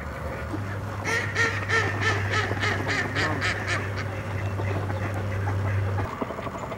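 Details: American black ducks swimming with a pintail-mallard hybrid give a quick run of harsh, nasal quacks, roughly three per second for several seconds, over a steady low mechanical hum.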